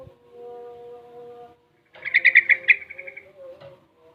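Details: Sooty-headed Bulbul aged six months, still learning ropel and garuda song, gives a quick rattling trill of rapid pulsed notes that fades away, preceded by a steady low droning hum.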